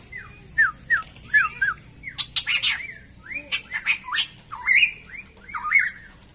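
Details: Black-crested bulbul from a hobby breeder's birds: a busy stream of squeaky, bouncing whistled notes mixed with harsh scratchy bursts, dense and continuous for six seconds.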